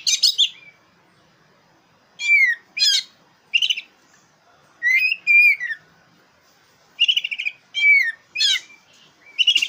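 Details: Black-breasted oriental magpie-robin singing as a lure to provoke competition birds: clear whistled notes sliding down, rapid stuttering rattles and buzzy trills in short bursts separated by pauses of one to two seconds.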